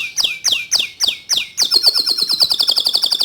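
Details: A white-coloured local canary repeats strong descending swoops about every third of a second, then breaks into a rapid, high rolling trill.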